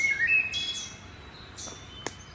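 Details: Wood thrush song in May woods during breeding season: a brief fluty whistled phrase followed by a buzzy, layered trill with two notes sounding at once from its double voice box, over faint background hiss.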